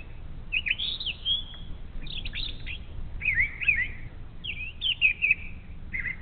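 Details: Brown thrasher morning song along Ohio's Little Miami River, with groups of slurred, warbled whistles separated by short pauses over a quiet low rumble.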